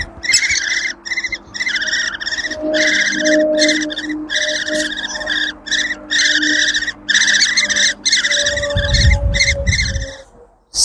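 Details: Nestling Great Spotted Woodpeckers, about six to eight chicks, calling from their nest in an old crab apple tree by a conservation pasture in May; sustained raspy churring chorus broken by short pauses, with faint background music and low handling rumble near the end.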